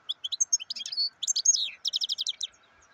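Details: Black-headed goldfinch singing a dense run of bright, liquid twittering notes in quick clusters, with fast buzzy trills, against a soft constant hum.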